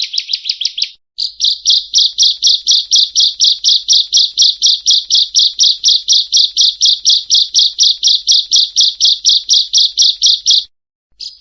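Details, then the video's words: Bar-winged prinia singing a long, very even series of loud, high, buzzy chip notes, about four per second, opening with a quicker burst and ending abruptly. The background is silent. "masteran ciblek burung ciblek"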